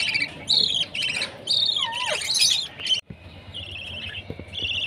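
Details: Baby budgerigar at food time, high chirps and squawky notes overlapping with a sliding whistled note, then a brief gap followed by softer continuing chirps.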